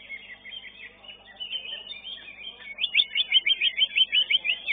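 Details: Greater green leafbird, a caged competition bird placed fifth in its class at a singing contest. Dense high twittering and chirps, then a loud, rapid run of short repeated rising-falling notes, about three per second, over a busy background.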